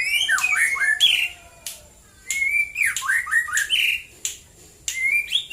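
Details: White-rumped shama singing in the morning: clear whistled phrases sliding down and up, loud rich bursts separated by short pauses, bright rising notes, quiet background.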